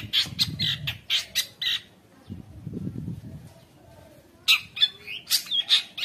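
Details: Long-tailed shrike (cendet) in energetic full song, intended to tutor young shrikes and provoke rivals into singing: bursts of harsh squawky chatter, a pause filled with low rustling thumps, then shrill scratchy notes resume.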